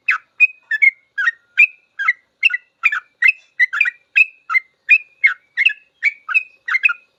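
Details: Master-recording 'ropel' song of a sooty-headed bulbul for training cage birds: an unbroken stream of chirped and whistled phrases, quick and rhythmic, about two or three per second.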